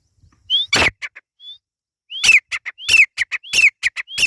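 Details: Irani teetar partridge chicks giving a quick rising whistle that slides into a harsh note, followed by short clipped notes, the phrase repeated roughly every half second after an opening loud burst.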